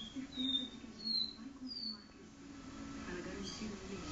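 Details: Caboclinho seedeater singing do-re-mi song inside a living room: three clear whistled notes in quick succession, each slightly higher or sliding, then quiet with steady low room hum.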